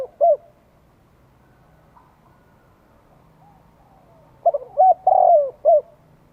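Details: Spotted dove call used as a lure to attract wild doves in Vietnam: one short coo, a pause, then a phrase of clipped notes leading into a long drawn coo and a final short note.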